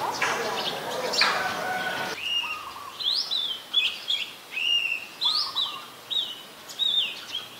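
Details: Brown-throated sunbird (Anthreptes malacensis) in Ubon Ratchathani, Thailand, 5 February 2020: after a noisy start, a string of short, sharp, high chipping notes with quick upward flicks, given about twice a second against a quiet background.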